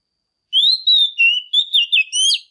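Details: A female Oriental magpie-robin gives a strong song to excite males. After a half-second pause come sweet rising and falling whistles in quick succession, ending in a brighter, more rapid warble.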